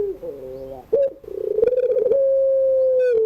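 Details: Barbary dove (puter pelung) singing its crying coo in the afternoon: a soft lower note, then a rough pulsing build-up that settles into one long, steady, pure coo.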